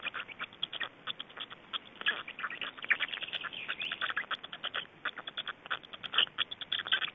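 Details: Black storks in Estonia during feeding and a change at the nest, 25 May 2012 at 17:03: a steady run of rapid, hoarse pulsed notes with brief bright chirps, continuing almost without pause for seven seconds.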